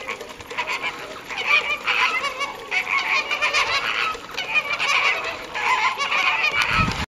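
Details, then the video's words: Caribbean flamingos at WWT Slimbridge, recorded 4/5/2011, giving loud nasal goose-like honks from several birds at once. The calls overlap continuously in rising and falling bursts, each with stacked harmonic bands. "WWT Slimbridge Caribbean Flamingos"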